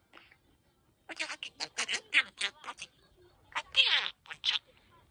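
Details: Pet parakeet chattering energetically at New Year, mimicking speech in quick, high, buzzy syllables, a rapid run of short bursts with brief pauses between.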